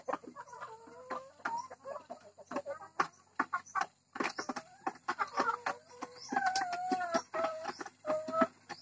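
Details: Hybrid laying hen on a Thai farm calling before laying an egg: choppy clucks broken by long, wavering, nasal notes that bend downward, repeated several times, amid background clucking and a steady high hum.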